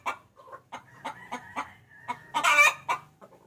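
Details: Female chicken calling a male, used as a lure: steady clucks about every quarter second over a faint low hum, building to a loud harsh squawk, then trailing clucks.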